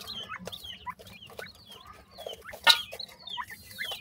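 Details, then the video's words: Newborn black francolin chicks, a pair known locally as Sindhi partridge, call in short high descending peeps, several per second, over a low background hum, with one loud sharp click. "only two chicks of sindhi partridge,sindhi patha ki voice"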